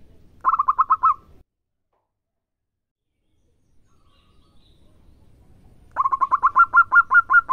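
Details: Actively singing local zebra dove: a short burst of quick cooing notes, a pause of several seconds, then a longer run of rapid staccato coos that climb slightly in pitch.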